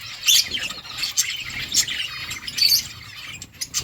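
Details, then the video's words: Budgerigar flock in a colony chirping: dense overlapping high twittering and chatter from many birds at once, with brief sharp peaks and a soft low background rumble. "budgies parrot chirping sounds"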